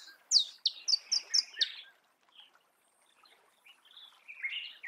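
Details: Sunbird identified as Marico sunbird in natural habitat: a brief run of five or six high, sharp descending chips, followed by faint, softer warbled notes at lower volume.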